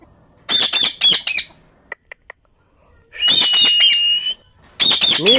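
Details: Green parrot giving bursts of harsh, grating screeches, with a drawn-out nasal squawk in the middle and a few sharp clicks in a brief quiet gap between calls.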